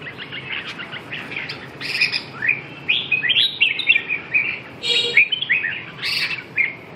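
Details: Chào mào, the red-whiskered bulbul, singing lively warbled phrases of slurred whistles that rise and fall, with a few harsher buzzy notes mixed in.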